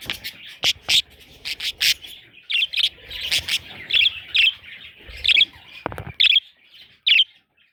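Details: Parrot chicks chirping, bright scratchy notes at first in a rapid cluster, then spaced roughly once a second as separate squeaky calls, ending in near silence.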